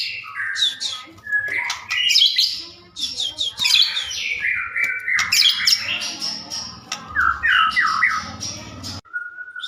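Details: Energetic white-rumped shama singing, meant as a lure so shamas reply: continuous tumbling medley of whistles, chirps and slurred notes, fast and varied, closing on a steady plain whistle; low background hum.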